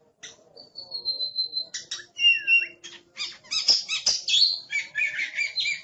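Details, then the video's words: Oriental magpie-robin (kacer), a caged bird described as aggressive, opening with a long thin steady whistle, then a looping whistled note and a rush of loud buzzy and rattling phrases. "Suara Master Burung Kacer Galak || Wow Berisik Amat"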